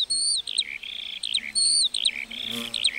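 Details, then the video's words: A lark sings in a meadow, pouring out bright whistled slurs that rise and fall, linked by rapid twittering notes in short, closely spaced bursts. "Singing lark in the meadow"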